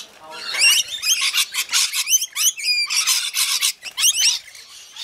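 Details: Feeding rainbow lorikeets chatter continuously: rapid shrill squawks, nasal rising notes and brief whistled chirps tumbling over one another for five seconds.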